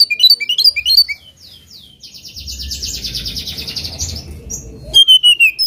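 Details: Oriental magpie-robin singing against a rival: quick bright chirps, then a long buzzing pulsed trill over low noise, and finally a clear descending whistle followed by more chirps.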